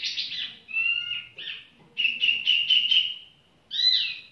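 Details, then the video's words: Tiểu mi bird singing casually, with chirps and whistled notes, then a string of about five quick pulsed notes and a final sliding whistle. "chim tiểu mi chơi lai rai"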